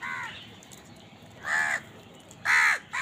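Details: Crows eating and fighting for food. Rasping caws at irregular spacing, roughly one a second, the fourth loudest and harshest, ending with a short clipped caw.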